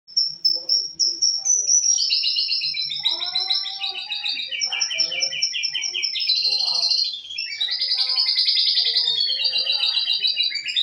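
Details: Canary in full, nonstop song, its repertoire filled with lovebird and cililin phrases; opens with high thin whistles, then a dense unbroken stream of rapid trills, buzzy rolls and chattering runs, with a faint low murmur underneath.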